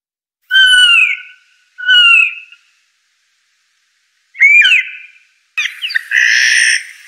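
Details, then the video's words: Blue jay (Cyanocitta cristata) uttering two clear, slightly falling whistled notes, then a sharp rising note and a harsh buzzy squawk, each separated by pauses. "Blue Jay.Bird Song.(Cyanocitta cristata)."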